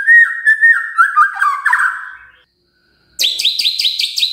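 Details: Lure song of a magpie-robin for prompting birds to sing: steady mid-pitched whistled notes with small dips, a pause, then a high series of sharp repeated chirps about six times in a second.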